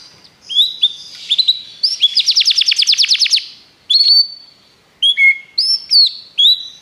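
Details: Belgian canary training song with scattered chirps and short whistles, a brief burst of very fast trilled notes in the middle, then isolated upslurred and flat whistled notes.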